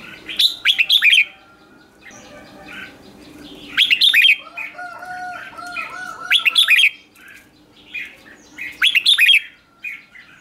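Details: Red-whiskered bulbul song as a lure for wild birds, four short bursts of rapid warbled notes roughly every two and a half seconds, with faint lower whistles from another bird between them.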